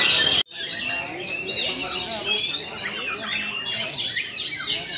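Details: Oriental magpie-robin singing in shama-like style while countering rivals: dense high chirps, trills and whistled sweeps, packed and overlapping, after a brief loud burst and a sharp cut at the start.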